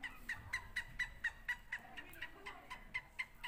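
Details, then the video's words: A Sindhi and a Punjabi francolin in a calling contest give quick runs of sharp, clipped, ringing notes, about four a second, over a faint background hiss. "سندھی اور پنجابی تیتر کا مقابلہ"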